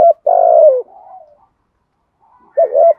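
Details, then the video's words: 'Thúc gù' cooing of a spotted dove in the 'giọng thổ' voice, meant to prompt other doves to respond. A brief note leads into a long, drawn-out falling coo with a softer tail, then silence and a closing double coo. "cu gáy thúc gù giọng thổ, tiếng chim cu gáy kích bổi nhanh nổi hiệu quả nhất"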